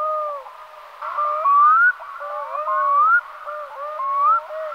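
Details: Black-throated loon giving loud, tonal, rising calls in quick succession. Each melodic phrase sweeps upward, then falls, and the phrases are strung together in a rhythmic, yodel-like series.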